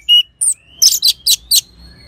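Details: Orange-headed thrush song used as a training sound to coax other birds into singing: a high whistled note, a slurred whistle, then four loud buzzy, rich bursts spaced evenly, with a faint thin tone behind.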